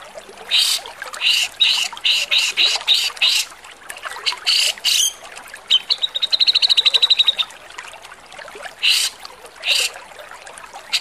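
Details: A Javan grey-cheeked bulbul, recorded as a harsh-song tutor recording for songbirds, gives harsh, scratchy bursts in quick series, then a fast, even rattling trill, then more rasping phrases.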